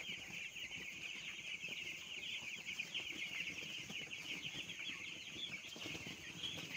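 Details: A flock of young broiler chicks being raised, giving a continuous high-pitched twittering of countless overlapping peeps, even and unbroken from start to finish.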